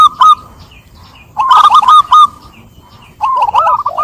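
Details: Zebra dove song for coaxing a silent dove. Brief clipped notes come first, then loud bursts of bubbling, stuttering coos with short pauses between them.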